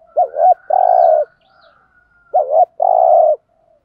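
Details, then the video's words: Field-type spotted dove giving thúc gù coos to stimulate newly trapped doves: a quavering double note then a long low coo, twice, with a faint thin whistled tone running above. "tiếng cu gáy thổ đồng thúc gù bài bản"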